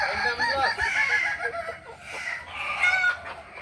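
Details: At a May 2024 practice contest in Ampang Kualo, Kota Solok, Kukuak Balenggek roosters crow in overlapping, trembling harmonic phrases that fade midway and return louder near the end.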